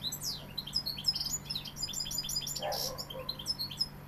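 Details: Sevillian European goldfinch pouring out a continuous, rapid jumble of high twittering and tinkling notes with a few buzzy slurs, a short rustling knock midway, and a low hum beneath.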